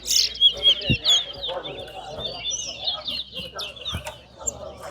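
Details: Towa towa bird competing in a singing match. A continuous high, fast twittering warble runs with slurred whistled notes and rapid trills. Low knocks and a few faint voices are heard underneath.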